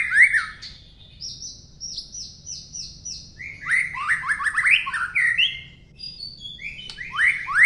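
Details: Long-tailed white-rumped shama in rich varied song: repeated high whistled notes, then a cluster of rapid rising and falling slurred phrases, sharp chirps and high accents, over a low background hum.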